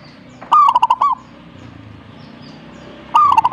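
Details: Zebra dove song in two bursts about two and a half seconds apart, each a rising opening note followed by rapid, evenly spaced staccato coos, with soft background hiss between them.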